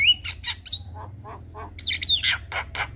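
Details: A Javan myna in evening song, a tutor recording for young birds: a short rising whistle, soft mid-pitched chuckles, then a burst of scratchy high squawks and a slurred whistle.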